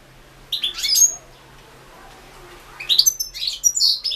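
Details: Competition recording of a European goldfinch from the 2016 internet World Championship in Goldfinch Song. A short burst of bright, tinkling twitters is followed by a quiet gap, then a second, richer run of chattering high notes.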